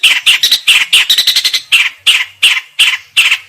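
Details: Long-tailed shrike, known as cendet, singing: loud, harsh, scratchy notes repeated rapidly, roughly three per second, with some quicker doubled bursts in the middle.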